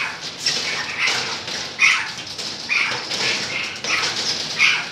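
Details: Golden-mantled rosella recorded in 2013: short, shrill chattering notes repeated irregularly about every half second to a second, with a faint whistled tone, over continuous rustling.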